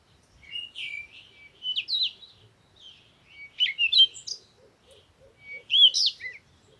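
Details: A bird sings varied chirping, whistled phrases with sharp upward flicks, while a faint, rapid, evenly spaced ticking runs beneath the second half.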